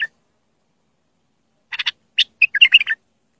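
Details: Tutor song for young bulbuls: after a silent start, a few sharp ticking notes lead into a quick, rolling, warbled phrase in a quiet setting.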